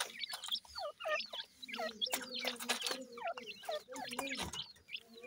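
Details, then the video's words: Grey francolin chicks, seven days old and hatched under a domestic hen, calling while feeding: a dense chorus of thin, high, downslurred peeps, several per second, over a faint steady low hum. "Voice of Gray Francolin Pheasant bird Chicks"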